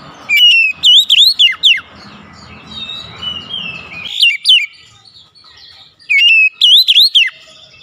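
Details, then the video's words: Oriental magpie-robin lure song for a bird reluctant to sing: two bursts of quick, ringing up-and-down whistles about five seconds apart, with softer warbled notes and faint background hum between them. "PANCING KACER MALAS BUNYI"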